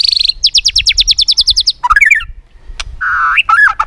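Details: White-rumped shama in a singing match: a fast series of about a dozen repeated high chipping notes, a short warble, a click, then two lower buzzy whistled notes.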